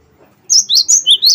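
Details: Energetic song of a wingko cinereous tit, meant to set other birds singing: after brief quiet, five rapid whistled notes alternating between higher and slightly lower pitch.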